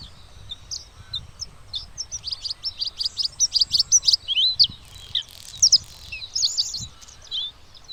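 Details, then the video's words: Bluethroat giving a series of rapid, repeated sharp high notes that speed up into a ringing burst, followed by twittering, slurred and buzzy phrases. "Bluethroat Call"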